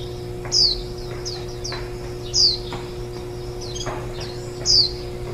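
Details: Warbling white-eye feeding nestlings on 23 July 2018, the day before fledging, recorded at four metres from a ladder. Loud, sharp, downslurred high notes about every two seconds, softer chirps between them, faint clicks and a steady hum.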